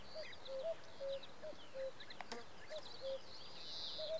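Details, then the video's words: Evening chorus of three male common cuckoos recorded in June 2017 in Samara Oblast, Russia. Mellow paired calls alternate between the birds, mixed with high trills and chirps from other songbirds, and end in a brief rustle. "Хор кукуев"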